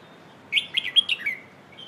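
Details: Red-whiskered bulbul giving one rapid, chattering whistled phrase of 'phleng ho' song meant for teaching young birds, about six slurred notes that rise and dip before a falling finish, with a soft whistle trailing after and steady faint hiss behind.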